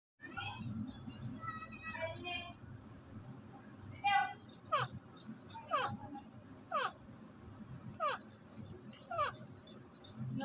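A ringneck parrot opens with nasal, talk-like chatter, then gives sharp, shrill downward-slurred squawks about once a second over a low background hum.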